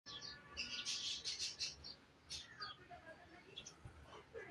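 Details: Budgerigars in Karachi, including king-size and undersize birds, chatter in quick, high, scratchy chirps and warbles, several notes a second, with a faint hum and room noise underneath.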